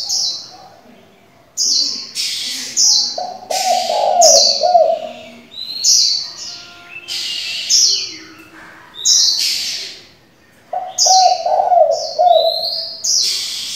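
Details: Decoy spotted dove with many call styles, used to stimulate and train young doves: bouts of soft rolling coos early and near the end, amid frequent loud high chirps, twitters and whistles from other birds.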